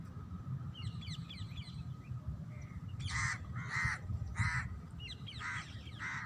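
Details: Parrots in nature: a run of faint, high, thin chirps, then a series of harsh, raspy, broadband squawks about every half second. A steady low rumble sits underneath throughout.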